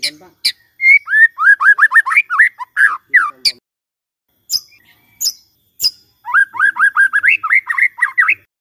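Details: A white-rumped shama's song, offered in the morning to coax a quiet shama into singing: fast series of rising whistled notes, a few isolated sharp chips, then another quick rising series.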